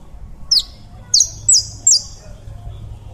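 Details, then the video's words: Colombian saffron finch singing: four sharp, high downward-sweeping chirps spaced roughly half a second apart, each with a brief trailing tone, over a low steady background hum. "CANÁRIO DA TERRA COLOMBIANO CANTANDO"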